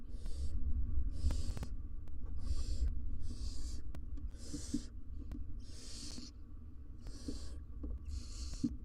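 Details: Barn owls in a nest box on a live cam, a wild family of two parents and three nestlings; eight rasping hiss bursts repeat roughly every second over steady low rumble.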